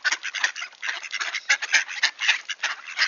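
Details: Returning wood ducks at Sainte-Adèle, Quebec, Canada, 7:53 AM in October 2024, cold and clear: short, choppy burst of many quick nasal calls, nearly a dozen pulses crowding in three seconds.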